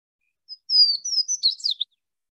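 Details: Swainson's Warbler in central Alabama, a not particularly common bird of dense creekside understory such as Chinese privet stands, sings one loud, ringing phrase: a few clear, slurred whistles ending in a quick, tumbling, falling flourish, about one and a half seconds long.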